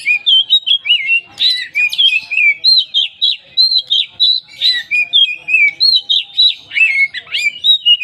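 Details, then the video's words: Lure song of an oriental magpie-robin meant to prompt other birds to sing: fast, continuous run of sweet whistled notes and quick loops, bursts repeated rapidly with scarcely any gap, a few scratchy notes mixed in. "pancingan Kacer poci full isian"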